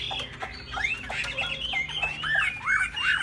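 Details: Caged laughingthrush, tail flapping as it sings high, gives lower mellow rising and falling whistles mixed with scratchy chatter and background clatter, notes overlapping in a busy, slightly muffled stretch.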